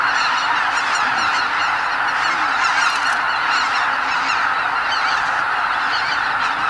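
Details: Huge flock of greater white-fronted geese, about 80,000 birds, leaving their roost before dawn at Lake Miyajimanuma, a Ramsar wetland in Bibai, Hokkaido, Japan, during spring northward migration; dense continuous overlapping honking and cackling from countless birds.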